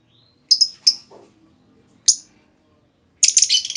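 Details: Lure call from a female lovebird, intended to set other lovebirds trilling at length. A few isolated piercing squeaks open the recording, then a dense, harsh chatter burst closes it.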